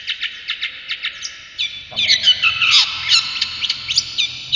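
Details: Brown shrike, a popular cage bird noted for mimicking other birds, giving a varied song: quick sharp chirps, then a denser run of whistled slurs and falling notes with faint low background noise.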